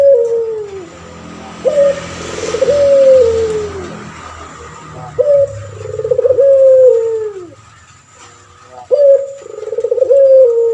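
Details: Male puter pelung turtle dove in its cage, used as a tutor for other birds, gives three full cooing phrases. Each one opens with a sharp note, rolls in quick pulses and fades into a long descending tone, over steady background hiss.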